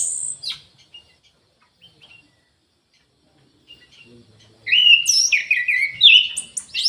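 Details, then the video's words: Orange-headed thrush in an aviary: a brief high note, several seconds of near silence, then a loud, rich burst of tumbling warbled song. "ANIS MERAH GACOR"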